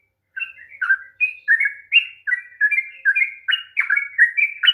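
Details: Long, fast sooty-headed bulbul song used to get a reluctant bird singing: after a brief silence, a run of clear whistled notes and slurs, around two per second, growing louder toward the end.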